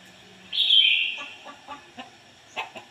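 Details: Decoy red-whiskered bulbul in ngoi bổi song style: a single drawn-out, slurred whistle, followed by a few faint clicks and taps.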